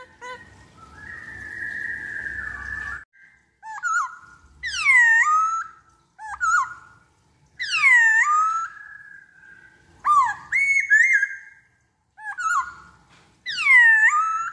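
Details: Black-throated laughingthrush song used as a lure, a long steady whistle followed by loud rich whistled phrases, each swooping down then rising, repeated about every two seconds with short pauses between.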